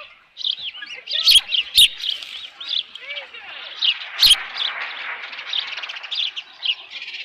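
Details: Osprey at the nest around 11:37 AM on 13 June 2018 with left over fish; high chirps, sharp clicks and a steady background hiss.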